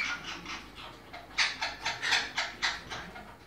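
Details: Monk parakeet at breeding time, uttering short, hoarse, buzzy squawks repeated about four times a second, becoming louder midway through.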